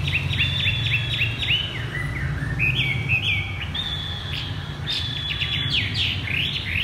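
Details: 'Thắt cổ chai' (bottleneck) song of a caged Chinese hwamei: fast strings of stepped, downward-sliding whistles, then higher sharp notes, delivered continuously and varied throughout.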